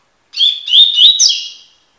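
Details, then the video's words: Double-collared seedeater (coleiro) singing the tui-tui song style used for song tutoring: one quick phrase of slurred, whistled notes, several rising sharply, run together for about a second and a half, high-pitched and clean, with silence around it. "coleiro tui tui cantando (encarte)"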